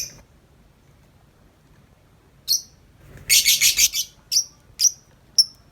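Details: Tame lovebird outside its cage: after a quiet spell, isolated high chirps, then a dense buzzy chatter of rapid notes, followed by several separate sharp whistled chirps.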